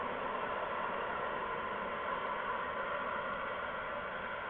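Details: Steady static hiss with a faint tonal hum, and no animal sounds.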